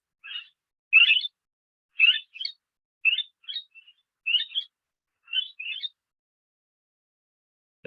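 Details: Barred (lineolated) parakeet call, often heard from flocks flying fast: high, chattering twitters, often doubled, about once a second for six seconds, followed by a brief low thump.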